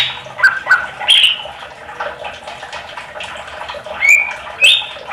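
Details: Greater green leafbird song played to coax other leafbirds to reply; scattered short whistled notes and a few sharp rising slurs over a continuous hissing, chattering background.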